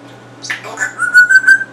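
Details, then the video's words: Male pet African grey parrot, a quick learner of words and sounds, kept indoors: a brief rough note followed by a loud, clear whistle repeated in three pulses, over faint room hum. "Parrot (African grey) shoots owner with a SHOTGUN!"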